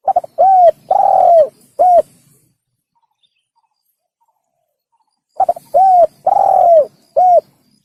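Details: Lure recording of a spotted dove, locally tekukur, for hunting. Two matching phrases are separated by about three seconds of quiet. Each has quick clipped coos, one long, sinking coo and a short final note, all low and mellow.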